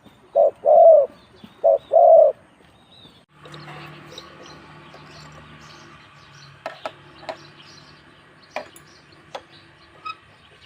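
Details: Spotted dove cooing in the ต่อกิ่ง style, two quick phrases of a short coo plus a longer one. Then a steady hum takes over, broken by scattered clicks and taps.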